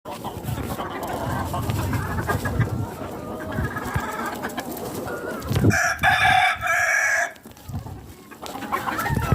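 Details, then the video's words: Rooster on a hen farm crowing once, a loud ringing cock-a-doodle-doo lasting over a second, set against steady clucking and murmuring from the flock and general farmyard noise. "hens sounds"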